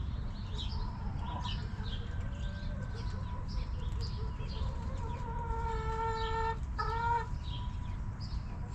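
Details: Chickens in a backyard coop, with a few short tonal clucks early, then two stronger harmonic calls near the end, over low rumble and faint high bird chirps.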